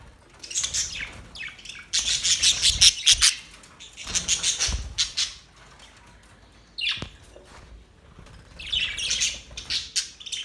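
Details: Australian budgies chatter in scratchy bursts, with pauses between phrases and a thin, falling squeak in one quieter gap.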